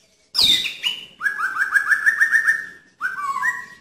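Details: White-rumped shama in loud song bursts: a sharp high opening note, then a quick run of about eight clear whistled notes on one pitch, a brief pause, and a final pair of rising whistles.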